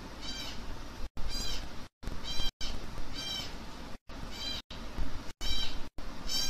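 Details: Baby African grey parrots during hand feeding, calling in a rapid series of short, nasal, harmonic whines, about one every half second to second, persistent and insistent over a background of low hum.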